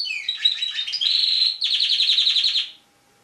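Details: Tame caged canary, a national champion singer, in a rapid bright song: varied whistled notes, then a long sustained trilled buzz and a fast rattling series of repeated notes, ending abruptly after almost three seconds.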